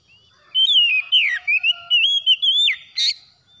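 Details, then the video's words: Oriental magpie-robin singing after dawn prayer time, a loud run of clear whistled phrases, sliding up and down and joined in one long flowing strophe ending in a brief harsh buzzy note; background quiet. "TERAPI KACER HABIS SUBUH"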